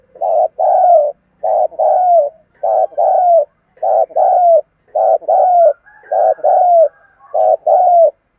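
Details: Spotted dove cooing, played to stir wild doves into responding: low, mellow paired coos, a short note then a longer falling one, repeated steadily about seven times. A faint higher thin tone sounds briefly near the end.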